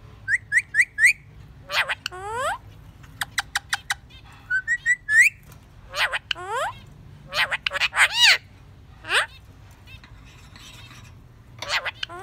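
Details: Captive parakeet chattering in a lively song of varied sharp chirps and rapid clustered whistled notes, some sweeping down, some rising, in short bursts separated by brief pauses, over a quiet low hum.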